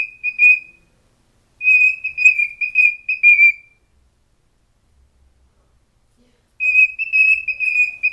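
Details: A young male cockatiel sings to its reflection in a mirror, a string of clear, high whistles in short bursts with brief pauses.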